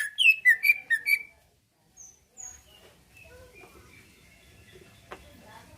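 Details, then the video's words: Greater green leafbird, a kept bird whose song is said to make other leafbirds answer and fight: a quick run of five loud, slurred whistled notes in the first second, then near silence with faint scattered chirps. "Cucak ijo lain liat dan dengar kicauannya bakal nyaut+gacor+tarung"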